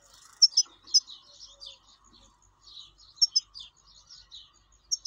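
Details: Wild European goldfinch: spaced, sharp high chirps and slurred twittering notes, some paired, repeated in loose phrases at a moderate pace against a quiet background.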